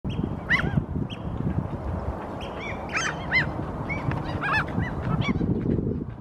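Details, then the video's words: Eurasian oystercatcher standing on a rock in Helsinki, Finland, April 2023, gives loud, shrill piping notes in quick overlapping bursts, several close together, over a steady low rumble of wind or surf. "Oystercatcher standing on a rock; vocalizing"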